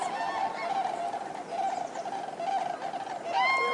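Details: Common cranes in chorus, a low, steady mass of calls ending with a loud, clear, ringing bugle from a nearby bird.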